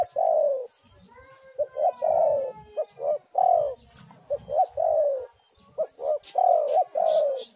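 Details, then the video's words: Spotted dove song played to coax other doves into singing: repeated phrases of quick clipped coos ending in longer, husky, down-slurred notes, loud and steady with little background sound. "tekukur super gacor sekali putar langsung nyaut"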